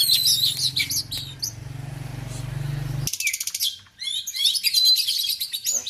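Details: Oriental magpie-robin belonging to a keeper in Aceh, Indonesia: dense high chattering and twittering notes, then an abrupt break into rapid buzzy trills and varied whistled phrases, with steady low hum in the first half.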